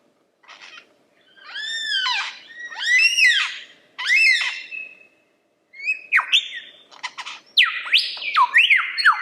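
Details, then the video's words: Lyrebird song with a brief buzzy note, three long arching harmonic whistles, then a fast string of sharp descending notes and slurred whistles. "Lyrebird The Best Songbird Ever!"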